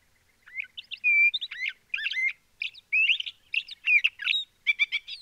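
A LeConte's thrasher delivers a quick string of varied, clear whistled and chattering phrases, some slurred, some rapidly repeated, over a quiet background.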